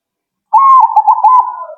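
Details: Zebra dove responding right away, a clear loud rolling coo: a slightly rising note followed by rapid stuttering pulses that fade into a lower trailing tone.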